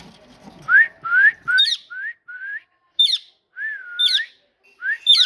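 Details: Parrot described as talking: a run of short whistled notes rising to a peak, each about half a second long, mixed with sharp high chirps and squeaky flourishes, repeated with brief gaps.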